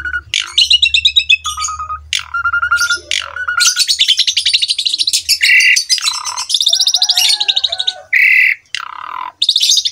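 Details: Asian pied starling song used as a master recording for young birds to copy, full of rich varied phrases: rapid chattering trills, bright whistles, buzzy rattles and harsh notes in a continuous, dense, high-pitched stream with a faint low hum beneath.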